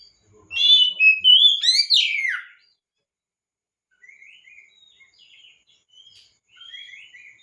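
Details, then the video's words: Oriental magpie-robin song used as a lure to prompt other magpie-robins into lively singing: a loud two-second burst of clear whistled notes with rising and falling sweeps and one sharp downslur, then faint scattered chirps. "PANCINGAN BURUNG KACER GACOR‼️BURUNG KACER ANDA IKUT GACOR PAKE PANCINGAN INI"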